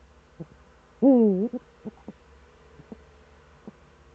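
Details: Eurasian eagle-owl recorded at dawn-time in the Eifel, 26 September 2013: one strong, rich, wavering hoot of about half a second, framed by scattered soft knocking sounds.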